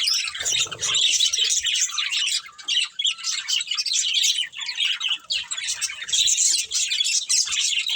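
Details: Budgerigars kept as a breeding pair chatter in a dense, continuous stream of high scratchy chirps and warbles, broken by short pauses, with a brief low rumble near the start.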